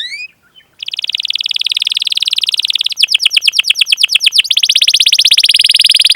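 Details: Canary song as training audio to prompt other canaries to sing: a short chirp, then a long buzzy rolling trill shifting into spaced downward slurs and a fast even roll.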